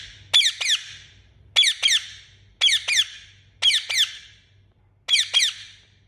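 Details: Indian ringneck parakeet chirping loudly: harsh double-note squawks with falling pitch, repeated five times at roughly one-second intervals, with a low hum underneath.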